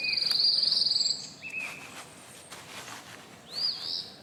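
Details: Birds singing in a backyard after a week and a half of rain: a high rapid trill, then a short flat whistle and a rising upslurred note, over a soft hiss.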